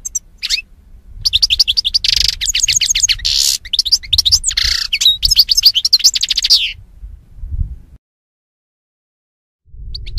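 A European goldfinch sings a rapid, tinkling jumble of high twittering notes and liquid trills for about seven seconds, then falls silent before resuming briefly.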